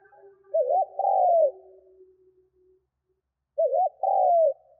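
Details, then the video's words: Spotted dove coos, sounds meant to make doves coo quickly; two shorter low phrases, each a quick wavering double note then a long purring coo sliding down, with a faint steady low hum between them. "Tiếng CHIM CU GÙ GÁY KÍCH BỔI NHANH GÁY"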